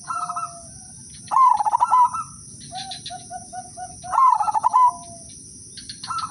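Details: Udanmas Silver zebra dove giving lure song to set other doves singing: repeated stuttering coo phrases about three seconds apart, with a row of short even soft notes between them over a steady hum.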